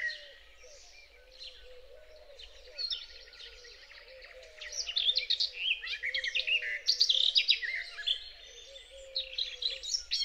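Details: Garden warbler singing close by near dawn on 8 May on a frosty, misty meadow near Biebrza, Poland. It gives a long, rich, rapid warble of mellow babbling phrases over a steady electro-mechanical hum of human origin.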